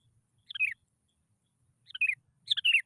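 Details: Sooty-headed bulbul lure song, meant to set other bulbuls singing: three bubbly, down-slurred phrases, the last two close together, with a faint low rumble underneath.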